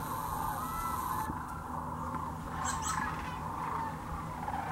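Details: A massed chorus of rattling, bugling calls from the sandhill crane flock gathered in their thousands at the Hiwassee Wildlife Refuge in Birchwood, Tennessee, a steady wall of overlapping voices with a brief hiss at the start, on a GoPro Hero 9 or Canon PowerShot.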